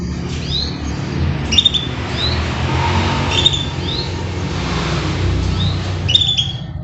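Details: Kept canary at morning care time, uttering quick upslurred high chirps in small bursts over a steady low rumble of traffic noise.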